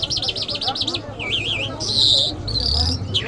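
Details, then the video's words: Iranian lark, called Mashhadi, singing a rapid run of wavering high whistles, then a lower warbled phrase and buzzy sustained notes, with a steady low hum underneath. "Jal Birds Iranians Lark Sounds | صدای طرقه، مشهدي مست"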